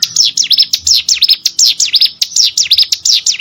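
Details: Rice-field plain prinia singing a loud, dense series of quick high chirps, each a steep downward then upward slur, strung together almost without pause.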